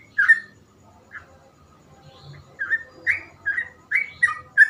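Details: Yellow-vented bulbul giving rich, slurred whistled notes, first sparse, then a quick run of five or six bubbly notes. A low murmur sits beneath.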